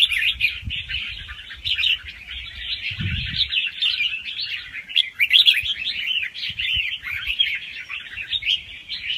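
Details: Fast-round song with doubles from a young wild red-whiskered bulbul, for stirring up other birds; continuous chattering warble, one brief low knock near the third second.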